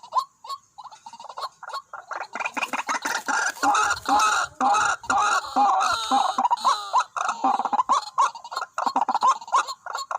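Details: White-breasted waterhens drawn in by a decoy, two birds arriving together: a dense, overlapping burst of harsh, clucking, gobbling notes that builds into a loud continuous chatter and then breaks into quick repeated calls.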